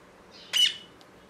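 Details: Parrot giving a single short, harsh squawk lasting a fraction of a second, loud against a quiet indoor background, followed by a faint click.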